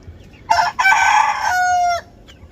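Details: Chicken, a rooster crowing in South Korea, delivers a harsh broken opening then a rich, level sustained tone that cuts off sharply, the whole crow lasting about one and a half seconds over low background rumble.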